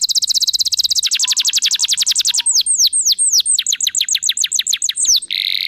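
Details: Canary singing as a prompt for other canaries to sing: a rapid rolling trill of high notes slows into distinct chirps and curved falling whistles, closing with a harsh buzzy note.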